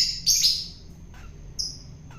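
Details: Captive long-tailed shrike, caught wild and fed to make it tame, utters a single harsh rasping screech, followed by a brief, clear, high whistle.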